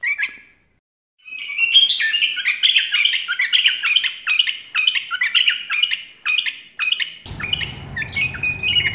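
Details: Bulbul, shown enjoying its freedom; a fast, steady run of short bright chirping notes, each sliding briefly up or down, follows a short opening call and pause, with low rumbling noise entering near the end.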